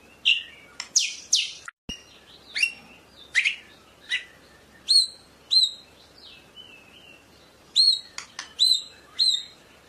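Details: Singing white-rumped shama of the murai medan kind: a string of short sharp chips and high flicking whistles spaced about a second apart, a brief thin trill in the middle; calm, quiet background.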